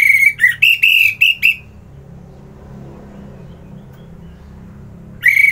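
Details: Orange-headed thrush (anis merah) in Kubutambahan, Singaraja, Bali, singing in the morning; a quick series of bright whistled notes, then soft low rumble like distant traffic, before the song resumes.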